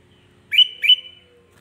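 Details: Sooty-headed bulbul song used to provoke rival bulbuls: two quick, bright whistled notes in succession, each rising sharply then trailing off into a thin sustained tone.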